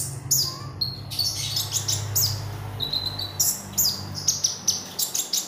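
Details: Oriental magpie robin singing actively, used as a lure for training birds: sharp high whistled notes and quick slurred chips in uneven phrases over a steady low hum.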